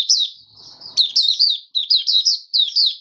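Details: A caged oriental white-eye gives open 'buka sing' song, recorded 20 January 2022 on the fifth day after its monthly deworming. Quick series of high, wavering twitters, about four short phrases in three seconds, with a faint thump between them.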